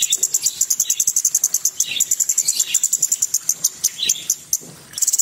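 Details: Cucak cungkok in lively gacor singing: rapid high rattling notes mixed with lower chirps and twittering phrases, ending in a fresh quick burst.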